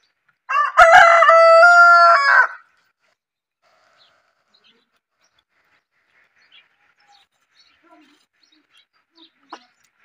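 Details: A desi rooster gives one loud crow of about two seconds: a rich, harmonic call that holds a steady pitch after a quick rise, then cuts off. Quiet follows, with a few faint clicks and soft distant sounds.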